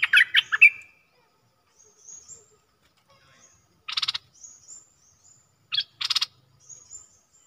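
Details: Bulbul, an old captive decoy, calling to draw a rival to fight: a quick bubbly chatter, then scattered short rasping pulsed bursts and faint high thin notes separated by silences.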